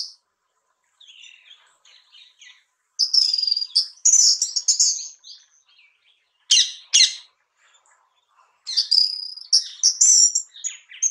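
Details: Orange-headed (ground) thrush, recorded in India, giving high, varied, sweet twittering phrases in short bursts every two to three seconds, with quiet pauses between; no other sounds.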